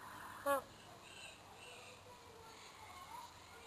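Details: A magpie goose (Anseranas semipalmata) gives one short, nasal, mid-pitched honk, followed by a quiet outdoor background and faint distant sounds.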